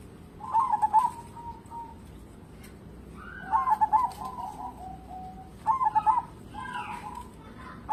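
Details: Zebra dove of a local strain, a keen singer used as a lure for other birds, delivering three phrases, each a quick rattling burst of coos trailing off into softer, lower rolling notes.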